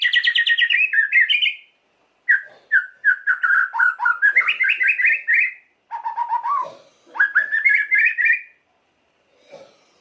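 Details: Varied White-rumped shama song, used to provoke emotion in other shamas: long runs of rapid trilled and warbled notes, rising and falling, separated by short pauses.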